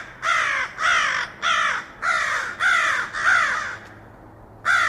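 A crow gives harsh, hoarse caws, seven in all, in a run of six about every half second, then one more after a pause.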